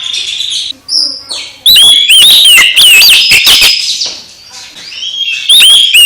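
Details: Oriental magpie-robin song meant to make a sulking magpie-robin lively again: bright, loud whistles that swoop up and down, mixed with rapid sharp chips. A quieter buzzy hum and faint whistles run underneath.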